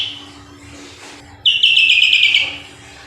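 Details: Sooty-headed bulbul singing vigorously: after a quiet start, one bright, clear, slightly descending warbled phrase lasts about a second, then fades.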